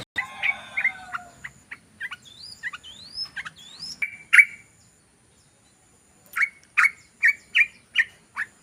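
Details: Yellow-vented bulbul lure recording used to attract birds: varied chirps and rising whistled notes, then a run of seven loud, short, evenly spaced chattering notes.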